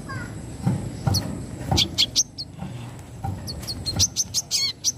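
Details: Song of a brown-throated sunbird, the 'wiceh mbeset nembak' style, given as scattered sharp high chips building into quick clusters and a short trill near the end, with steady low rumble behind.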